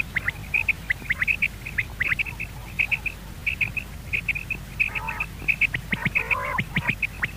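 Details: Common quail calls, used to lure quail for hunting in the morning: short high double notes repeated steadily, with overlapping callers and clicking sounds throughout.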